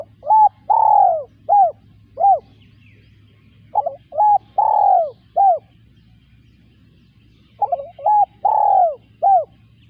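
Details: Spotted dove cooing: three phrases, each a soft stuttered lead-in, a short coo, a long downward-sliding coo and a clipped final note, with quiet pauses between and a steady low hum behind.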